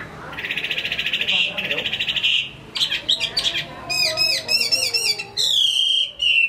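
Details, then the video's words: Hwamei from Hải Phòng, Vietnam: a fast buzzy rattling trill for over two seconds, then varied whistled phrases with mimicry-like twists and a long clear descending whistle. "Họa mi hót tốt"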